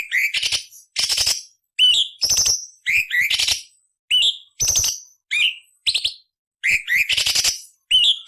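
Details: ["Quick back-and-forth of clear whistled notes and coarse buzzy rasps from a cucak cungkok, recorded as training material with harsh 'beset nyerecet' variations for murai, cucak ijo and kacer."]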